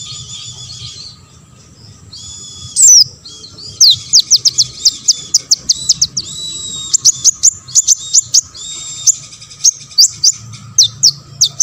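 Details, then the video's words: Olive-backed sunbird, a lively singer played to make other sunbirds respond and sing, starting with a thin buzzy phrase, then a long run of rapid high clicking chirps and short trills, loud and fast, over a faint hum. "KONIN GACOR BONGKAR MATERI"YG LAIN AUTO BONGKAR"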